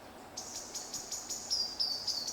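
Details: North Island robin singing in predator-free Sanctuary Mountain Maungatautari, New Zealand, during a break in the weather, with another robin singing back in the background: a steady run of thin, very high notes about three per second, then slightly falling sliding whistles.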